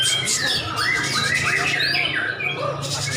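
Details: White-rumped shama singing at a bird singing competition: bright whistled phrases with rising and falling sweeps and quick chirps, overlapping other birds in a noisy crowd with voices.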